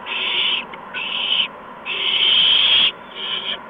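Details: Owl nestlings receiving prey from the adults, a mouse and a gopher, one March 2015 evening. Long, breathy screeching hisses, one stretching past a second, alternate with short silent breaks.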